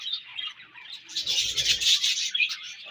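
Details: Chattering budgerigars during breeding season: constant high twittering and warbled chirps from several birds, swelling louder midway, with soft low rustling underneath.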